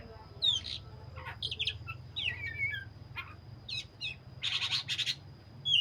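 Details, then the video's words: Black-breasted magpie-robin in full 'gacor' song, mixing clear slurred whistles with harsher buzzy bursts and sharp chips, phrases coming in quick succession over a faint low hum. "burung Kacer dada hitam gacor"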